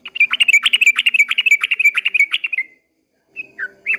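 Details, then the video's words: Long rapid 'ropel' song of a yellow-vented bulbul at dawn: a fast stream of bubbling, chattering notes that stops abruptly, followed after a short silence by a few loose slurred notes. "kicau suara trucukan ropel panjang di waktu fajar"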